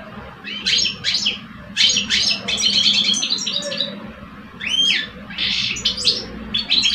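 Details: Male European goldfinches dueling in song in cages in Algeria, an old adult and a two-year-old; clustered high twittering phrases with buzzy notes and a few rising whistled sweeps, alternating with quieter spells.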